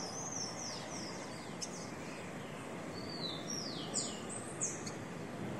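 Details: Captive male rufous-collared sparrows on a warm, slightly breezy day, one calling, give thin, high whistled slurs, mostly falling in pitch, scattered irregularly above a steady rushing hiss, after a recorded song is played.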